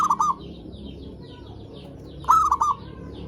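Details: Zebra dove song played to lure and stimulate other doves: a cooing phrase opens the recording, followed after about two seconds of quiet by another rising coo with two brief trailing notes.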